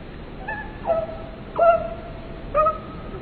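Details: Bird heard for relaxation, giving three clear whistled notes about one second apart, each opening with a quick downward slide and then holding a steady, level tone, over a faint hiss.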